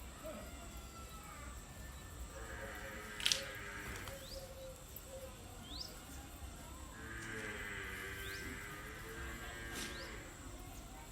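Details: Peacock calling twice, each a drawn-out wailing cry with layered harmonic tones lasting about a second and a half, separated by roughly four seconds; faint sharp rising chirps and a steady hiss underneath.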